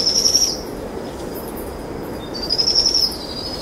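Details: Two Powerful Owl chicks give short bursts of high, thin trilling a second apart at dusk as their mother feeds them a brushtail possum, over a low background hum.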